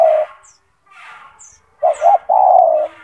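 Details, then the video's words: Loud-voiced, constantly singing captive spotted dove used as a model for training other doves. After a pause, two quick hollow coos run into one long, low, even coo. Thin high bird chirps and soft hiss sound behind it. "The sound of a gacor turtle dove | Suara burung tekukur gacor"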